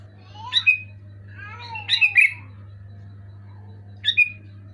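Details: Loud, clear Sooty-headed bulbul song aimed at a moulting bulbul that has gone quiet: three short chortling whistled bursts with brief gaps, set against a continuous low hum.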